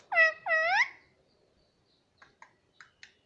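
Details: Baby pet parrot giving two loud, drawn-out harmonic squawks that dip then rise, followed after a pause by four short, quiet chirps spaced irregularly.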